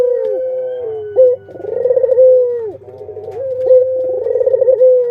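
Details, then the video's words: Captive Barbary doves, a parent with its chicks, produce low cooing: a sustained tone, a quick upward flick, then a rapid vibrating burst that settles into a drawn-out level note. A soft steady hum runs underneath. "Suara Indukan dan Anakan Burung Puter // singingsong Dove bird"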